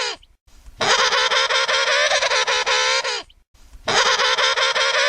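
An emperor penguin gives long, brassy trumpeting calls, each about two seconds of rich, wavering tone, separated by brief silences.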